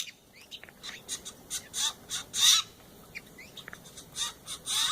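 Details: Morning visit by a Steller's jay family (male, female, grown chick) making their strange noises: irregular harsh, squawky bursts mixed with short rising notes and clicks, some loud and grating, close to the microphone.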